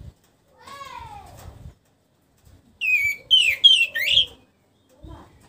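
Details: Orange-headed thrush in captivity after moult. A lower, descending slurred whistle comes first, then a louder run of several quick, high warbled notes, and finally a faint short note.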